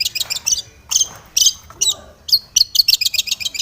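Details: Aggressive Long-tailed shrike, seeking a rival, mixing clustered high chattering notes, sharp whistled chips and a rapid stuttering series at the end.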